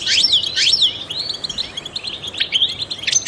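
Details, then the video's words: Short stretch of a trained goldfinch's song, meant to stimulate other songbirds: quick, sharp high chirps and sliding whistled notes tumble together in a rapid, jingling twitter over background hiss. "in the wild goldfinches chirp to stimulate songbirds"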